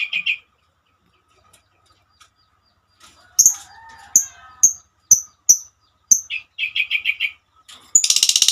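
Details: Female lovebird giving scattered piercing chirps about half a second apart. They lead into a quick run of lower, clipped notes and finish in a harsh, rapid buzzing burst.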